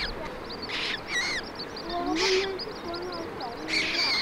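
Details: Common moorhen mother tending and feeding her fluffy chicks at the water in Germany; thin, high, arched peeps repeat rapidly throughout, cut by three harsh, buzzy bursts spaced about a second and a half apart.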